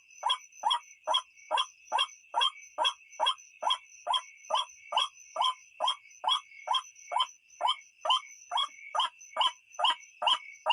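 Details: White-breasted waterhen, recording used for luring birds after dark: a long, very regular run of about twenty-five gruff, descending croaks, roughly two to three per second, over continuous ringing insect sounds.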